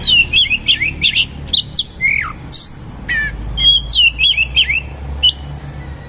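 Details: Oriental magpie-robin in vigorous song with rough material and rolling shots of rich fill. Continuous twisting whistles and harsh chatters run over a steady low hum.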